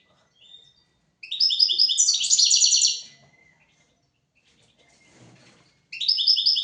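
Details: European goldfinch song used to tutor goldfinches and canaries: a sustained two-second burst of bright, rapidly repeated twittering notes, a quiet gap with a faint rustle, then the trill resumes.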